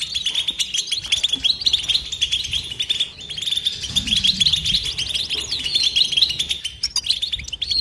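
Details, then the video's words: European goldfinch pouring out continuous 'betbeta' chatter, a thick wash of high, rapid, liquid twitters and trills with a soft low rumble in the background. "بتبته حسون لا صمت"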